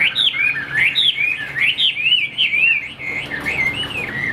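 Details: Chinese hwamei, a caged songbird kept by Vietnamese bird keepers, singing a loud, fast run of whistled notes, each sliding up and down in quick loops, phrases tumbling one into the next with scattered higher chirps above.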